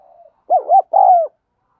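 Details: Close, loud spotted dove coo for luring and training birds: a soft lead-in, two quick rounded coos, then one longer level coo, clean with no background.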